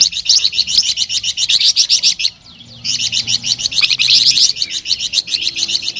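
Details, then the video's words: Sweet, energetic flamboyan bird song: rapid high chirps repeated about four times a second, a half-second pause, then the same fast chirping run again. "SUARA MERDU DAN GACOR BURUNG FLAMBOYAN"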